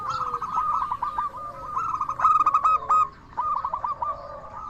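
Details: A local zebra dove gives its bright 'crystal voice' song, a lure for other doves: rolling, stuttered coo phrases with a clear ringing burst in the middle, a brief hush, then another quick hooked run.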